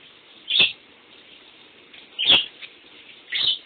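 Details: A lovebird kept as a pet calls while someone showers nearby. Three loud, piercing chirps are spaced about a second and a half apart against a constant rush of water.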